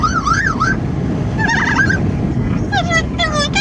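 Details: Amazon parrot riding in a car in the wind: a wobbling, up-and-down whistled call, then a shorter warbled note, then several quick harsh squawks, against constant engine and wind noise.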